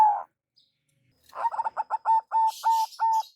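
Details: Local zebra dove lure call: a single coo, a pause, then rapid stammering notes slowing into long, level coos, with a soft hiss of noise over the final notes.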